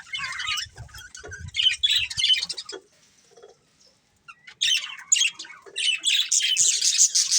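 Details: Breeding pair of budgerigars chattering in bursts of buzzy, scratchy high chirps, a loud spell, then near silence for about a second before dense warbling chatter resumes and continues to the end.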